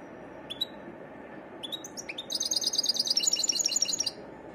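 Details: European goldfinch singing a varied song: scattered high chips, then a fast, dense, tinkling twitter that runs for about two seconds, over a faint low hum.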